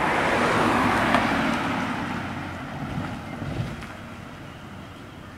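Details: Low rumbling wind and vehicle-like noise at dawn fades slowly, with no clear animal call.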